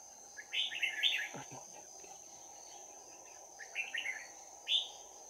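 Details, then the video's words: Red-whiskered bulbul in a trapping session on 11 January 2019, hopping up and down out of sight, sings bell-like fighting phrases: a busy run of bright warbles, a second shorter burst, and one final clear note, over a steady insect drone. "Bẫy chào mào Giọng chuông đấu giáp lá cà"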